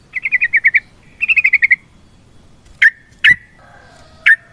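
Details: Yellow-vented bulbul song used to provoke other birds into singing: two fast, even trills of clipped notes, followed by three single sharp slurred notes, over a low background rumble.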